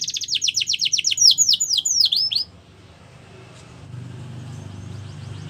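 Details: Canary delivering a training song: a rapid series of steeply falling whistles, gradually slowing and becoming louder, stopping abruptly after two seconds, followed by quiet room hiss.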